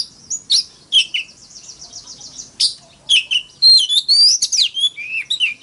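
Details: Oriental magpie-robin in fighting song, mixing sharp high chips, a buzzy trill and a fast series of rising and falling whistled notes.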